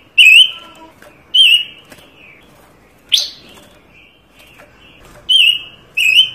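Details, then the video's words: Panca Warna bird singing, for master recordings and trapping lures: well-spaced single ringing whistles with a wavering end, plus one sharp rising squeak and faint softer notes between. "Burung Panca Warna gacor"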